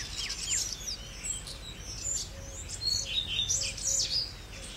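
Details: Redstart song opening with a few downslurred whistles, then running into a rapid, jumbled warble of high twittering notes. Low rumbling noise continues steadily underneath.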